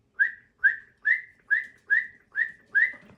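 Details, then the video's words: A male cockatiel sings to his mate in a steady series of seven clear whistled notes, each sliding upward and then holding, evenly spaced about every 0.4 seconds. "Singing for his soul mate"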